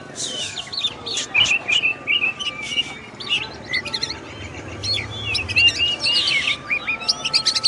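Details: Oriental magpie-robin, locally kacer, singing a master song of clipped whistles and rapid chattering trills, a steady tonal note running underneath in the middle section.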